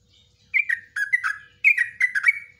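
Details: Three short, liquid, warbling phrases from a yellow-vented bulbul, ropelan song of the nguklik ngecruk style for tutoring caged birds.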